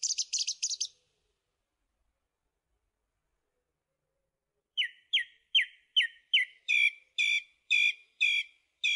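A song thrush gives a quick burst of high, scratchy notes, falls silent, then repeats one clear, ringing phrase about ten times in quick succession.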